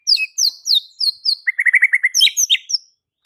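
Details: White-rumped shama singing to provoke fighter males: high falling whistles, then a quick chattering run of lower warbled notes and more sharp slurred phrases.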